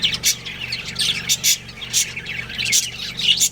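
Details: Budgerigars in a breeding pair give sharp, high, squeaky chirps several times a second amid softer warbling chatter, with a faint constant hum in the background.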